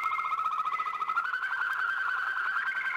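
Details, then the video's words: Waterslager canary, old Belgian record, delivering a dense rapid rolling trill that rises slightly and stays level. "Old Canary Waterslager Song - カナリアの鳴き声"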